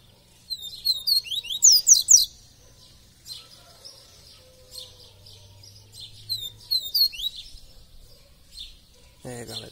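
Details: Double-collared seedeater, kept caged and described as a tireless singer, pouring out two bursts of fast, high, sliding whistles and trills separated by quieter chatter.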